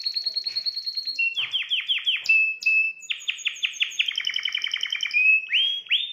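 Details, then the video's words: Singing canary used to stimulate a female: loud rapid trills of upswept notes, changing tour every second, with a high buzzy overlay and short steady whistles between phrases. "Exciter votre femelle de canari"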